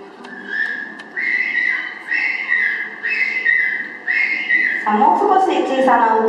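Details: Hungry 40-day-old captive emperor penguin chick (2.79 kg, hatched 11 October 2012) begging for food gives about five high, swelling and dipping whistles, roughly one a second; harsher, rougher calls of king penguin chicks behind take over near the end.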